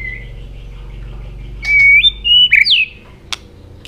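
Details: Robin, an Asian bird, singing a brief bright phrase of level and stepped whistled notes that climb and drop, followed by a single sharp click.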